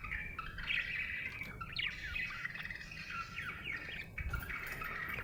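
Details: Happy budgerigar chattering continuously, a scratchy warble mixed with quick upward sweeping chirps, over a low background hum.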